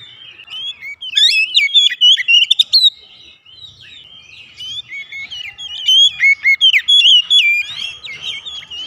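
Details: Sweet chirping and whistling song of an oriental magpie-robin, recorded as a lure to make kept birds sing. Two long sequences are separated by a quiet gap of about two seconds.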